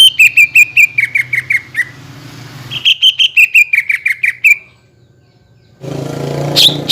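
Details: Lure song of the greater green leafbird, aimed at making untrained and group-kept birds reply: two bursts of quick descending chirps separated by a pause, ending in hiss and a high squeak.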